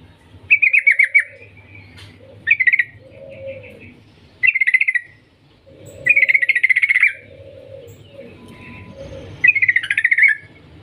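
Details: Yellow-vented bulbul singing vigorously with long trills, meant to lure other bulbuls into song: short chattering bursts repeated every couple of seconds, interleaved with lower gurgling warbles.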